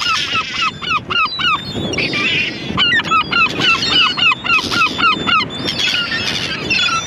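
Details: Several gulls give bursts of sharp, bent, yelping notes in quick series of five or six, pausing between bursts, with other gulls squealing higher over a constant low rumble.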